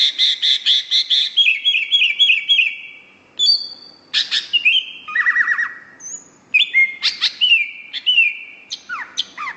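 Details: Greater green leafbird singing vigorously: opens with fast chattering notes repeated in a steady series, then shifts to varied whistles, trills and downslurred phrases after a brief pause, high-pitched and energetic throughout.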